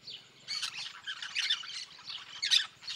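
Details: Noisy flock of yellow-chevroned parakeets in the sertão of Bahia, Brazil: rapid, overlapping harsh screeching squawks in surging bursts, a louder shriek near the end, with a faint low hum beneath.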